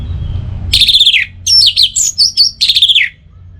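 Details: An orange-headed thrush (Geokichla citrina) sings a loud, rich phrase of varied whistles and slurred notes, some sweeping down, others short and rising, delivered rapidly.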